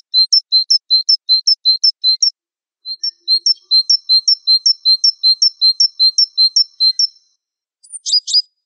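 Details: Java sparrow mastering song with long rhythmic series of two-part chirps, low then high, about three per second, a brief pause, another long series, and a final burst of sharp descending notes.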